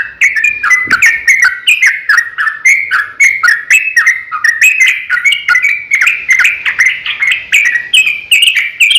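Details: Yellow-vented bulbul in an aggressive fighting song, a lure to stir other bulbuls to sing; unbroken, fast, gurgling notes that rise and fall in short repeated phrases.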